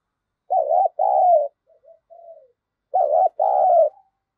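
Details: Spotted dove kept as a decoy to attract wild birds: two loud two-note coo phrases, a short wavering note then a longer falling one, separated by soft murmured coos.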